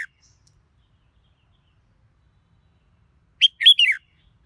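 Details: Red-whiskered bulbul song: after a long quiet pause, a short chirp followed by a rapid cluster of bright whistled notes that step downward in pitch, lasting about half a second.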